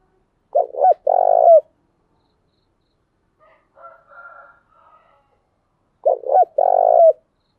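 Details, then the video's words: Spotted dove hen used for luring other doves: two full low coo phrases, each a quick double note and then a long sustained coo, about five seconds apart, with soft muttering notes between them. "Tiếng chim cu gáy mồi giọng lôi cuốn hấp dẫn đủ bài[ THÚC GÙ , GÁY GỌI ]"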